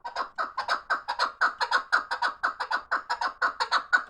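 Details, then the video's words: Fighting chukar partridge utters an even, rhythmic chain of throaty chuck calls, roughly two per second, clear and close. "Кабки ҷангӣ"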